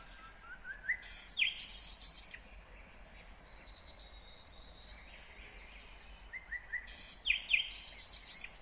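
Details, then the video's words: Nightingale singing in Kyrgyzstan, 2020. Two separate bursts, each made of rising whistles, a loud sharp stroke and a harsh buzzy rattle, with a quiet pause between them. "Незабываемое Пение соловья / Chill out Nightingale Singing / Булбул уну / Булбул овози"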